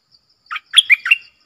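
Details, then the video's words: Short bright song from a red-whiskered bulbul in the double-song style: a brief note, then a quick three-part whistled flourish sliding up and down. "เสียงนกดอกแตงEp.97 Birdsound เพลงเบิ้ล/เสียงใสน่าฟังSuara pikat merbah lekir"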